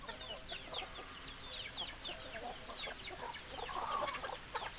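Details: Chickens clucking, hens and roosters together: dense overlapping short clucks and rising squawky notes, several birds calling at once, about four notes a second, with a louder drawn-out note near the end.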